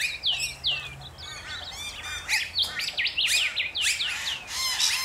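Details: A flock of rainbow lorikeets in Australia chattering busily, overlapping high twitters, rising whistled notes and harsh screeches from many birds at once.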